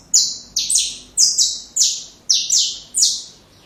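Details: Saffron finch song played to teach young birds: steady, loud, buzzy high notes sliding downward, some paired, repeated roughly every half second over a quiet background.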